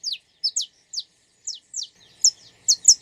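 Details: In natural surroundings, a saffron finch gives crisp, high, downward-slurred chirps, spaced singly and in pairs, with a faint hiss rising behind the last few notes.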